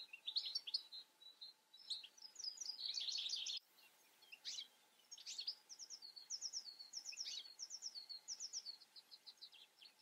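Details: Twittering European goldfinch song: rapid runs of high, tinkling, evenly spaced notes with buzzy rolls mixed in, a short pause near four seconds, then a long steady series of repeated chips.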